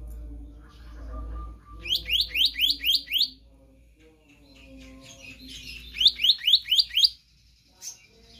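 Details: Oriental magpie-robin, offered as a training song for other birds: two bursts of five or six quick rising whistled sweeps, about four per second, separated by a softer warbling stretch over a low background hum.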